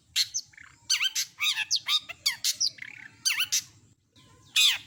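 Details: Long-tailed shrike (cendet) pouring out imitated calls: harsh squawky notes, downward-curving whistles and buzzy slurs in a fast jumbled sequence, ending with a loud rasping burst after a brief quiet spell.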